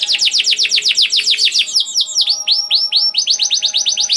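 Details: Canary song for stimulating other canaries, a fast rolling trill of down-slurred whistles, a short pause of swoops, then another rapid trill.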